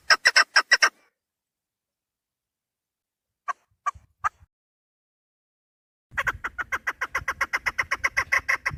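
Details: Female chukar partridge call used to lure partridges for hunting: a short burst of loud clucks, a long silence with a few faint clicks, then a dense, rapid series of chuk notes over low background rumble.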